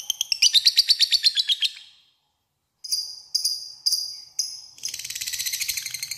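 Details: Lovebird chatter in the ngekek style, played as a lure for a rival: a short burst of rapid high chips, silence, four separate sharp squeaky notes, then a buzzy, fast rattle.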